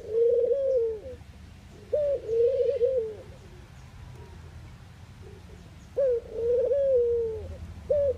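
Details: Eurasian collared dove, Netherlands, cooing repeatedly: three full low, hollow coo phrases, each with a brief higher opening note and a wavering, sustained tail, softer muffled coos between them, a fourth phrase cut off, faint thin chirps in the background.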